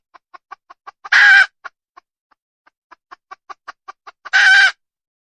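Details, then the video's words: Wild red junglefowl hen producing steady strings of short dry clucks, each climaxing in a loud grating squawk, twice in succession. "Suab poj qaib qus tsauj dib tuaj zoo heev"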